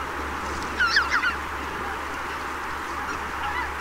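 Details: Greater white-fronted goose at Donggang Township, 19 December 2021, a rare winter visitor: a quick burst of three or four high, yelping honks just before the one-second mark, then only a steady broad hiss of background noise.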